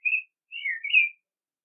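A common blackbird gives a short, clear fluted phrase: one whistled note, a brief pause, then a slurred note that dips and rises again. Nothing else is heard.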